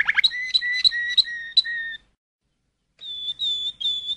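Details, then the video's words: Malinois canary: quick rising chatter into a series of whistled notes, a silent gap of about a second, then softer higher drawn-out whistles. "تغريد كناري المالينوا (الوتر سلاجر)CD Chant canari malinois"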